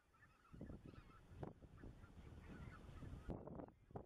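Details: Flock of Greater white-fronted geese at night beneath the spring moon, Dannenberger Marsch, 25 March 2013: continuous babble of honking and cackling notes, several sharper calls standing out near the end over low rumble.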